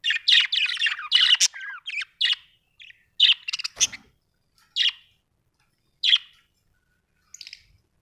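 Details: Budgerigar chirping: bright, scratchy warbled notes in quick bursts in the first two and a half seconds, then single short chirps every second or so with quiet gaps between.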